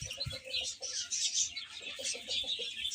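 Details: Baby chickens eating and playing, a dense flock of high chicks cheeping in rapid overlapping peeps, with a few lower soft clucking notes between them.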